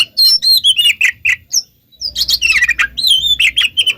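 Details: Oriental magpie-robin lure song to coax answers from other magpie-robins: energetic, tumbling whistled and scratchy notes, a short break near the middle, then more warbling with a low background rumble.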